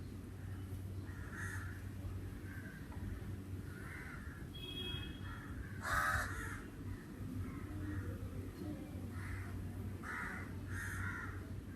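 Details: Crows cawing in summer, scattered harsh calls with a loud near caw around the middle and several fainter replies, a brief thin whistle from another bird, low steady rumble underneath.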